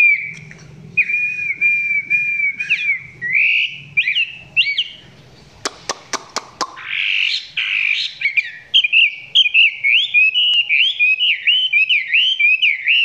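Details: Close-range Chinese hwamei singing below full power. Sustained level whistles give way to looping, bouncing whistled phrases. A burst of sharp clicks sounds in the middle, with low murmuring underneath at the start.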